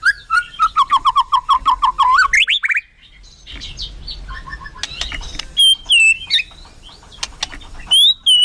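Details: White-rumped shama singing energetically in a song packed with varied fill phrases: a fast run of repeated wavering notes climbs into rising sweeps. After a brief pause come scattered sharp high whistles and bright chirps.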